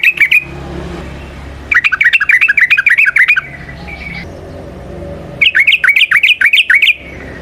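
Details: Trucukan (sooty-headed bulbul) song used to lure and train other birds: two long runs of fast, chattering slurred notes about one and a half seconds each, separated by quieter pauses over a low background hum.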